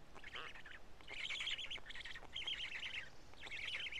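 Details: Black stork at a nest in Karula, 31 May 2017 around midday, during a feeding of two big fish that chicks pick apart; harsh, raspy pulsed bursts high in pitch, four rattling phrases with short gaps.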